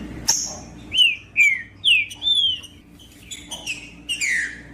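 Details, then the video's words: Green-winged saltator (trinca-ferro) song, played to warm up cold birds: a handful of rich, slurred descending whistles about half a second apart, followed by softer repeated whistled notes. "O MELHOR VÍDEO PARA ESQUENTAR TRINCA FERRO FRIO COM TRINCA FERRO CANTANDO"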